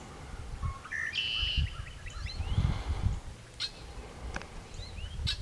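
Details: A flock of red-winged blackbirds near a dairy barn and cow pasture chatters, with a buzzy trill, clipped chips and rising whistles overlapping, over low rumbling barnyard background noise.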